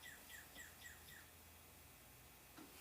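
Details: Northern Cardinal singing energetically outside in spring near a feeding spot: a quick run of five clear, downslurred whistles, about four per second, faint over a low steady hum.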